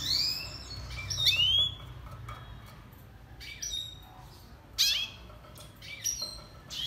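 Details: Red siskin, a small finch of northern Colombia and Venezuela, in a song-training recording: thin high whistled slurs and rising notes in scattered bursts, separated by quiet gaps over low background hum.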